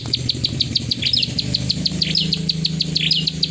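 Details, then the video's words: Plain prinia with a 'klik ngacor' song of repeated sharp high ticks, broken by occasional slurred descending chirps, with low-pitched background noise throughout. "Burung prenjak sawah klik ngacor"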